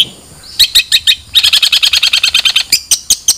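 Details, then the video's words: Long-tailed shrike song: a few sharp, high notes, then a rapid rattling series of about twenty dry, clicking chirps at an even pace, ending in several spaced harsh notes. "Suara Burung Cendet"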